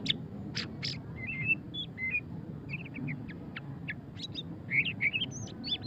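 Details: White-rumped shama, murai batu pastol, in ngeriwik song: scattered sharp chips and short whistled notes, then a brief rising run of bright notes near the end, over a low rumbling hum.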